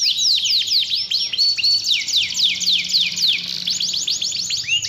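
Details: Canary lure song to rouse a lazy canary; loud, varied phrases of downward-sweeping whistled notes and rapid rattles, repeated about four times a second, ending in quick rising slurs.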